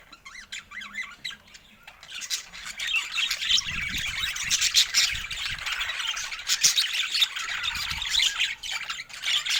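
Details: Budgerigars with fresh food in natural Scandinavian light. The clip opens with quieter wavering chirps, then the flock swells into busy, overlapping high twittering and squawky chatter that carries on to the end, with soft low thumps underneath.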